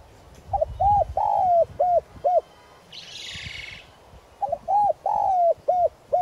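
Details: Decoy spotted dove in Vietnam giving its calling coo in the clear 'giọng son' voice, used to stir wild doves into calling: two phrases of four to five soft hooting notes, one drawn out and falling, separated by a brief rustle.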